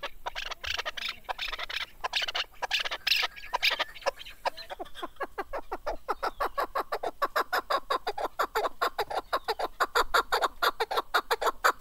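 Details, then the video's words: Chukar partridge, called kaklik, rapid series of short clucking notes, at first irregular and mixed, then steadier and quicker, about three per second, with a faint background hiss. "Голос Куропатка как поёт Горная Куропатка Кеклик"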